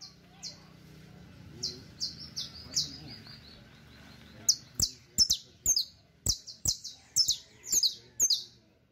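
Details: Criollo canary (Serinus canaria) song used for teaching young birds: high, bright, short downslurred chirps about twice a second, with sharp clicking sounds mixed in toward the end.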